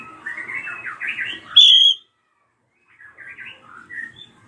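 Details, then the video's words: Screaming drongo, used to provoke young birds into song: scratchy chattering notes lead into a loud, high, ringing whistled note, a brief silence, then softer chatter and a short whistle. "JERITAN SRIGUNTING KRANTIL RAJA PALING COCOK BUAT PANCINGAN BURUNG BAHAN"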